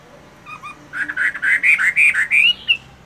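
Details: Caged Chinese hwamei in moult doing morning voice practice, a short run of loud whistled phrases wavering up and down, building after a quiet start and ending on a rising note.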